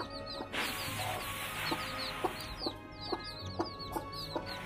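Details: Newly hatched chicks with a hen, eating rice: a stream of high, thin peeps repeated rapidly, short soft clucks about every half second, over steady background music.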